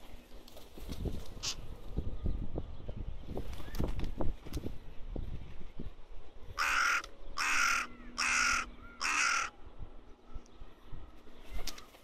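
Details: Young crow in the Rosental, Leipzig, Germany: one brief caw, then after a pause a run of four loud, grating caws, evenly spaced about two-thirds of a second apart, over quiet low background noise.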